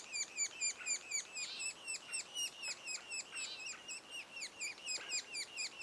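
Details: Sapsucker nestlings, two days before fledging, repeat coarse descending chirps about twice per second, slightly softer and less even, with occasional overlapping louder bursts.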